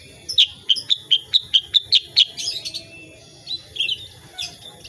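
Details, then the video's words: Sooty-headed bulbul, locally kutilang sutra or cucak kurincang, giving lively tembakan shooting-style song: eight crisp, high, whistled chips in quick succession, then quieter scattered twittering notes. "KICAUAN KUTILANG SUTRA SUPER GACOR"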